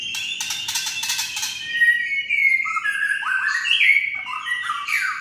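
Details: Rattling kretekan song of a white-rumped shama, meant to stir other shamas to sing: a rapid series of clicking rattles over a steady whistle, then fluid varied whistled phrases dipping and rising.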